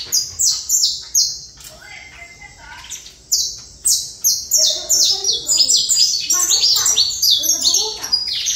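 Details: Saffron finch song: crisp high downslurred notes, first spaced out and repeated about twice a second, then a fast dense stream, with some softer low chirps.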